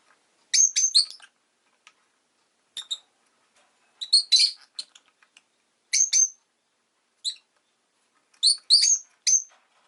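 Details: Pet rosy-faced lovebird (Agapornis roseicollis) chirping: clusters of shrill, high-pitched chirps come in bursts about every one and a half seconds, with quiet gaps between, about six groups in all.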